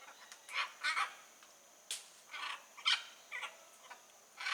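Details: Blue-and-yellow macaw in the wild: harsh, raspy, broadband squawks in short bursts, several spread irregularly over a few seconds, with a steady faint hiss in the background.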